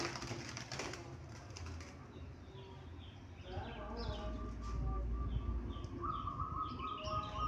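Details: Local Indonesian zebra dove giving mid-pitched cooing notes in short strings in the second half, with sharp high chirps from other small birds and rumbling background noise; muffled noise in the opening seconds.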